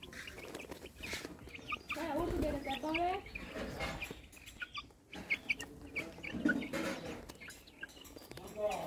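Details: White yard chickens with hens clucking: soft, low, irregular clucks and murmurs throughout, with a drawn-out harmonic call near the middle, amid rustling and faint background noise.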